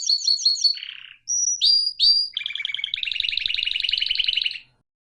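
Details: Domestic canary song: a few quick high chirps, a short pause, sharp upward whistles, then a long rapid rattling trill that stops abruptly.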